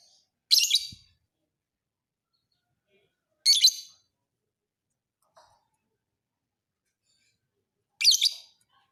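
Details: Lovebird of the fighter kind, a training recording for other birds: three sharp, shrill chatter bursts about every three seconds against an otherwise quiet background.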